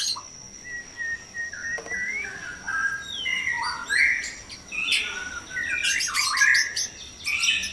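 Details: White-rumped shama at dawn in a breeding enclosure: a drawn-out level whistle that bends upward, followed by varied warbled phrases and later harsh noisy chirps, over a constant high-pitched hum.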